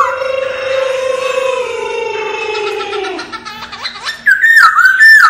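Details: Laughingthrush song in wild forest style, used for voice training: a long, slowly falling whistle with rich overtones, then a quiet gap and a burst of loud, wavering whistled notes at a higher pitch.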